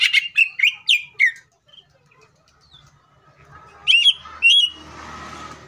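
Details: Greater green leafbird in full, aggressive song meant to trigger rival leafbirds to sing, giving a quick series of bright descending chirps, a pause, then two sharp upslurred notes before a burst of rustling noise.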